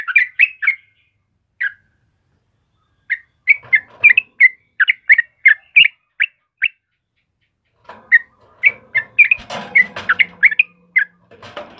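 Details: Singing yellow-vented bulbul, a recording used for training caged birds: scattered chirps with gaps, then a steady chattering run, ending amid rustling broadband noise.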